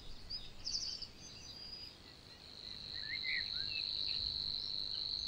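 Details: Savi's warbler in Niepołomice Forest, Poland, recorded in June 2020: a steady, unbroken high buzzing reel that swells in the second half, with a few brief chirps from other birds early on.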